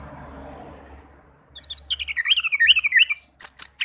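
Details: Orange-headed thrush kept tame, sweet song meant to stir silent birds: after a faint low hum, a tumbling run of sharp notes descends stepwise, followed by a few loud high chips.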